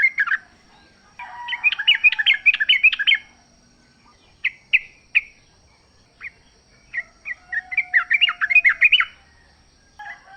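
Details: Wild sooty-headed bulbul singing energetically in a natural setting: bursts of rapid, bubbly chattering notes alternate with short single chirps and pauses, while a lower drawn-out whistle from another bird sounds behind.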